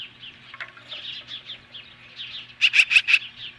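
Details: Osprey at the nest in Hellgate Canyon, Montana, July 15, 2015, confronting magpies: rapid high chirping whistles, ending in a loud series of four harsh, buzzy notes.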